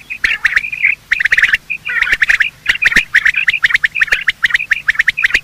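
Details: Quail, male and female, giving morning calls used to lure birds when hunting: loud, continuous chattering of short chirps in tight groups, with frequent sharp clicks and only brief gaps.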